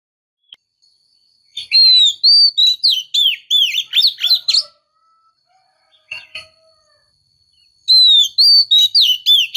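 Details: Female white-rumped shama calling to stimulate a male; two bursts of rapid looping whistled notes, each led by a falling whistle, separated by a quiet gap with a faint steady high tone and a few soft notes.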